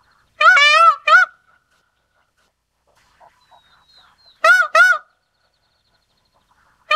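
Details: Indian peafowl (Pavo cristatus) giving two pairs of loud, nasal, trumpeting honks with rich overtones, separated by a long quiet spell holding a few faint background chirps.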